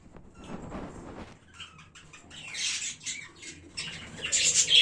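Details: A budgerigar colony kept as pets, recorded in early January: scattered sharp chirps and short harsh squawks from several birds, building to a loud burst of noisy calls near the end.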